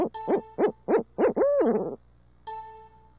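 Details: Hoot fest from a pair of urban barred owls in Midtown Tulsa: four quick rising hoots swell into a long downslurred wail, followed by a bright ringing chime over a low hum.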